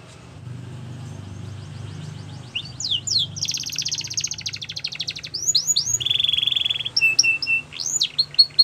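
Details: Canary training song: a faint start, then bright falling whistles, a long dense buzzy roll, a steady lower trill and sharp downslurred notes, phrases changing every second or so.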